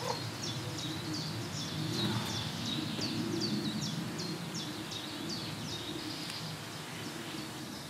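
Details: A green sandpiper (Tringa ochropus) at the Im Winkel nature reserve, Lippetal, on 15 June 2017 at 14:25 gives a steady series of high, sharp, down-slurred whistled notes, about three a second, over a low rumble of wind or distant noise.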